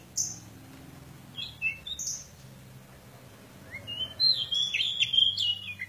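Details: Pied bushchat in fighting mode: a few sharp high chirps early, then a quick run of rising and falling twittering notes building toward the end, over a soft low hum.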